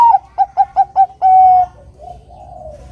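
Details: Bangkok-type zebra dove sings to provoke a rival. An upslurred note leads into five evenly spaced, clipped coos and one long, slightly falling final note. Soft murmuring follows.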